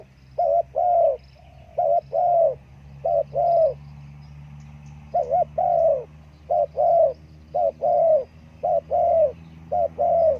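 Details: Spotted dove cooing steadily, many paired notes of a short coo and a longer drawn coo repeated roughly every second, over a low steady hum.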